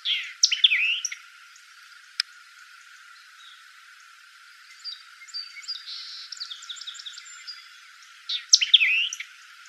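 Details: White-eyed vireo singing in Bruce County, Ontario, Canada, on 17 June 2018: a loud, quick phrase of sharp chips and slurred whistles opens the recording and returns about eight seconds later, with softer chatter from other birds in between.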